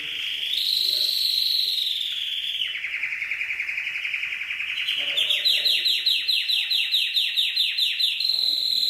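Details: Canary song from a long Indonesian compilation of champion birdsong, mixed with trickling water: a high whistled note sliding down, a long buzzy roll, then a rapid rising-and-falling trill of even pulses, all bright and high-pitched.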